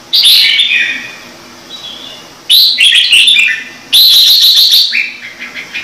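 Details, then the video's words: Red-whiskered bulbul singing in a standard voice, a recording meant to get newly caught birds singing. Three loud bursts of bright, rapid whistled notes, the first two sliding downward, the third a sustained ringing phrase, separated by quieter pauses. "CHÀO MÀO | Trung Mang hót giọng chuẩn cực hay - Bổi nghe là hót"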